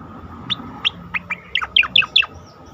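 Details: Asian pied starling song used to train competition birds: spaced sharp falling whistles that quicken into a tight series of bright down-slurred notes over a soft steady hum.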